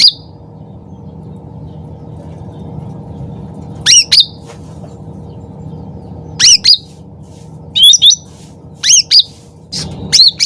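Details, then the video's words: Loud, lively sooty-headed bulbul song used as a lure: after several quiet seconds, short clusters of bright, squeaky, swooping notes come in bursts that grow more frequent toward the end, over a constant low hum. "cucak ranting gacor suara keras nembak"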